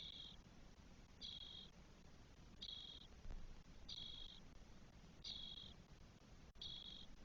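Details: Four 12-day-old spotless starling nestlings in a nest in Spain, 1 June 2022, giving harsh, hissy, buzzy calls. Six even notes about half a second each, repeated roughly every 1.3 seconds over a low rumbling background.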